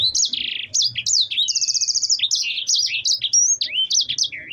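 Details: Yellow-fronted canary, known locally as sanger, singing a lively rolling song: rapid high whistled and trilled phrases, rising and falling sweeps, and one buzzy even trill in the middle. A faint low hum sits underneath.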